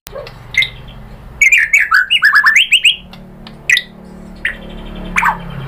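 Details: White-rumped shama singing to provoke other birds into answering: a quick run of clear, rising whistled slurs packed into about two seconds, followed by isolated sharp chirps over a faint low hum.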